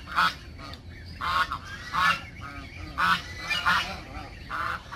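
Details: Backyard geese honk loudly and insistently, with harsh, nasal blasts repeated roughly once a second, some calls doubled, against faint background noise.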